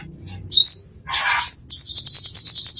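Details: Konin or kolibri, the plain-throated sunbird, in training master song for caged birds: a thin rising whistle, a harsher scratchy burst, then a rapid steady high trill of repeated sharp notes.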